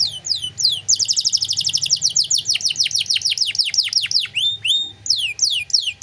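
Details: Canary in full 'gacor' song with luxurious 'cengkok mewah' phrasing, used as a tutor recording for young songbirds: rapid downward-sweeping high notes merge into a long fast rolling trill, then separate swooping whistles and brief pauses.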